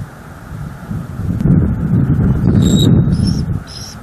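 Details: Bald eagle vocalizing at its nest in NEFL while watching the skies; a quick run of three piercing, high squealing chirps near the end, under loud wind noise.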